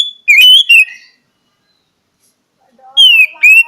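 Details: Oriental magpie-robin (kacer) delivering clear whistled song: a falling whistle with quick slurred notes, a long silence, then two more bright descending whistles.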